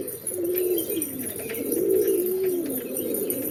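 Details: Two drawn-out pigeon coos, each a smooth low note that rises then falls, over a soft background murmur of other birds.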